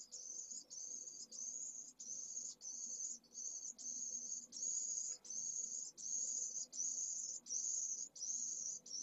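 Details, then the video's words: First feedings of a second-brood pallid swift chick at a nest in Jerez de la Frontera, Spain, in 2022, the tiny nestling begging vigorously. A long series of thin, very high hissing notes repeats with short, even pauses. "PRIMERAS CEBAS pollo de 2ª puesta - Vencejo pálido"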